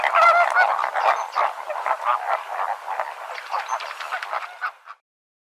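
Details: Flamingos calling together: a dense chorus of nasal, goose-like honks and gabbling notes overlapping rapidly, several birds at once, steady for about five seconds then fading out.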